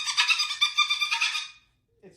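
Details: Pet cockatoo indoors vocalizing after its owner put away its new toy: a harsh, raspy, broadband squawk lasting about one and a half seconds with a pulsing rough texture, then a brief quiet human voice.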